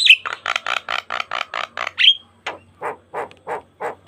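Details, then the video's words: Asian pied starling singing, recorded as a lure for other starlings: a quick string of harsh rasping pulses ending in a bright whistle, followed by slower, lower grating notes spaced about a third of a second apart. "Pancingan Jalak Kebo Gacor Mompa Full Variasi - Masteran Suara Burung Jalak Kebo Full Isian Mewah"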